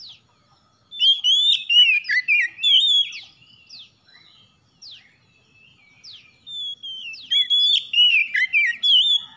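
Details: Oriental magpie-robin (kacer) singing as therapy for a silent, stressed bird: loud bursts of varied whistled phrases, sliding and warbling, with rapid sweeps and chirps, a quiet pause midway before another rich burst.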